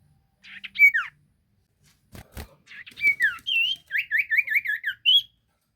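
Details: Sirtu bird in full song for luring other birds: two short whistled bursts, a pause with a couple of clicks, then a fast chain of wavering, up-and-down whistled notes.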